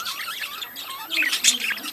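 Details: Budgerigar breeding colony: a brief run of high, scratchy chatter and wavering squeaks, growing louder and denser in the second half.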